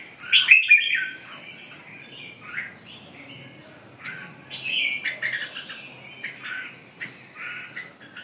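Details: Red-whiskered bulbul singing a lively series of short warbled and chirped phrases, bright notes sliding between mid and high pitch, louder bursts near the start and again midway, with quieter twitters between.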